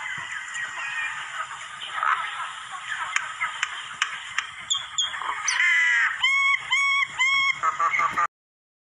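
Common myna giving four loud, ringing, slightly rising notes about half a second apart, after several seconds of busy chattering and clicks.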